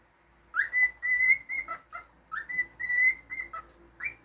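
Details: Pet cockatiel whistling clear tonal phrases: quick upward slurs leading into held, even notes with short breaks, the pattern given twice in a row in a quiet room.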